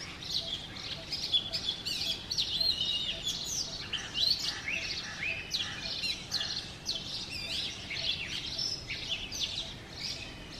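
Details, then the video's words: Morning singing of a male Oriental magpie-robin near a home in Sialkot, Pakistan: a dense, continuous run of high whistles, twitters and quick slurs, busy and overlapping, over low steady background noise. "Oriental Magpie Robin Singing"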